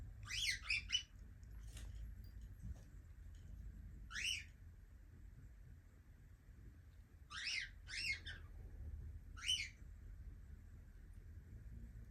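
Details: Young pet cockatiel calling indoors: short, harsh, rising-then-falling chirps, some in quick pairs and triplets near the start, about eight calls over twelve seconds, with a steady low hum underneath.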